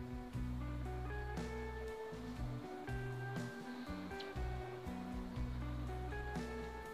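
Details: Instrumental music with sustained tones, a steady bass line and plucked notes, with no animal sounds audible.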